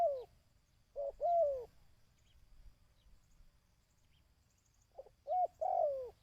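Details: ['Coos of a dove, played to excite and train decoy birds. There are two soft paired phrases, each a short note leading into a longer down-curving coo, separated by several seconds of near silence.']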